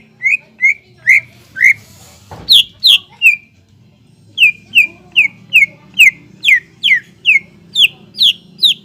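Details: Greater green leafbird (cucak ijo) in full gacor song, used to provoke other leafbirds to sing. About eighteen crisp down-slurred whistles repeat at roughly two or three per second, with a brief thud early on and a faint low hum.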